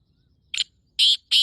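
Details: Part of a male black francolin's breeding call, recorded 14 May 2024 around 5:15: one short scratchy note followed by two longer, loud, grating rasps against a quiet background.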